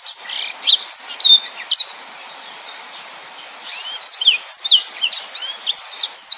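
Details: Yellow-fronted canary singing a dense 'nembak' song: high whistled slurs and chirps, a brief pause, then a fast series of rising and falling whistles that runs to the end.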